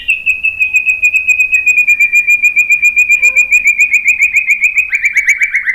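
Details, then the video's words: White-rumped shama lure song used to stir other shamas into singing back: a long, fast, even trill of high piping notes held at one pitch, ending in a few brighter, slightly falling notes. "OCEHAN MURAI BATU Untuk Merangsang BUNYI jadi NYAUT GACOR"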